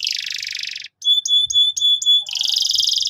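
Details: Rolling canary trill for teaching young canaries, followed by a short pause and a row of clear, flat, piping whistles. A dense buzzy trill closes the passage.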